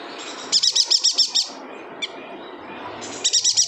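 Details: Yuhina from Kalimantan singing busily, a tutor recording for songbirds like the greater green leafbird: a run of about eight high chirps, a lone note, then another quick series, with steady background hiss.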